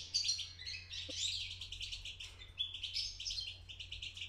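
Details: A young European goldfinch just beginning to sing twitters a continuous, rambling warble of high, tinkling and buzzy notes, over a faint low hum.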